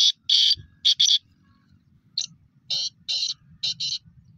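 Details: Black francolin kept as a pet. A rhythmic series of harsh, buzzy grating notes comes in short bursts, with two quick pairs at the start and then four evenly spaced notes after a pause, over a low background rumble.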